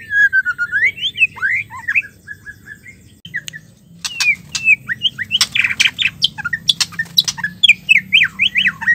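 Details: Calling of a female white-rumped shama, meant to stimulate males that have stopped singing. Slurred rising and falling whistles, a brief pause, then sharp clicks and dense chirping notes mixed with more whistled slurs.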